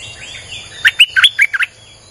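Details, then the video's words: Streak-eared bulbul song played to lure wild birds: one quick phrase of about six bubbly, chirpy notes with rising and falling inflections, over a faint steady high whine. "เสียงนกดอกแตงEp.159จ้าวขุนศึก สับดอกแบบไม่พัก!!ใช้เปิดล่อนกป่า Suara pikat merbah lekir"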